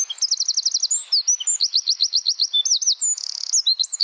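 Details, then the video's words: Wren song in the close 'tembakan rapat' rapid-fire style, used for training songbirds: very high, dense bursts of quick repeated chip notes in trills, with brief upswept whistles between them, continuous throughout. "Masteran Burung Suara Tembakan Wren Bird Suara Bren Tembakan Rapat Burung Kecil"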